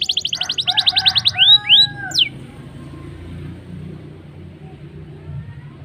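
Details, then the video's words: Black-throated canary lure song to start canaries singing: a rapid repeated trill of high notes followed by two upward-sweeping whistles, then near silence with low background hum. "BLACKEN GACOR NGEROL NEMBAK MANTAP.. Ampuh Pancing Kenari Cepat Bunyi"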